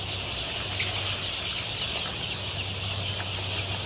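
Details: Massed high peeps from 23-day-old Golden Misri chicks on a Pakistani poultry farm, steady and dense, with a low humming tone below.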